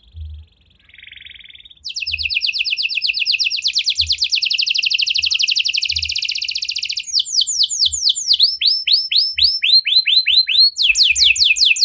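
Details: Canary singing a 'cengkok mewah' luxurious-style song, said to get any canary singing. After a soft opening note comes a long, fast, buzzy trill, then rhythmic swooping whistles and a final rapid burst.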